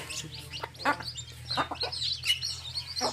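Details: Baby chicks with a hen in a field: scattered high, thin peeping chirps mixed with a few broader clucking bursts, uneven in rhythm, over a low steady hum.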